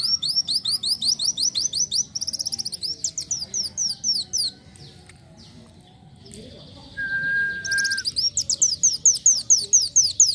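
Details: Van Hasselt's sunbird singing actively: long runs of rapid, very high, sharply rising tinny notes, about two per second, broken by a short quiet pause with a steady whistled tone before the fast trilled series resumes.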